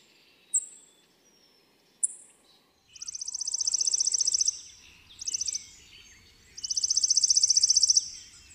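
Chipping Sparrow: two sharp high chips, then three dry, rapid, even trills on one high pitch, each one to one and a half seconds long.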